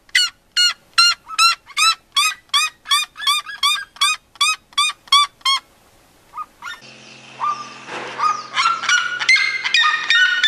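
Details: Red-legged seriema giving a steady run of loud, high yelps, roughly two and a half per second, followed by a rougher, mixed stretch of overlapping calls and a steady tonal hum.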